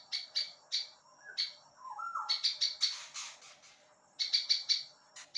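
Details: Prinia singing for songbird training: clipped high chirps in groups, interrupted by a couple of softer, lower warbled notes before the rapid chirping resumes.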